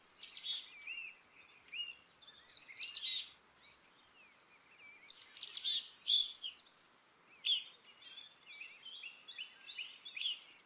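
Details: Harsh buzzy notes and short clipped whistles from a black-capped chickadee, given in uneven bursts over ten seconds, with some quieter chips trailing off.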